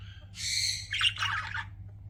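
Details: A pet budgie delivers a loud, harsh screech followed straight away by a tumbling, scratchy warble, a low hum behind.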